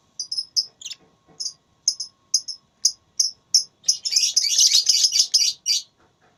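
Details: Lovebird in a singing contest, giving evenly spaced high chirps that build into a continuous loud shrill chattering rattle before stopping.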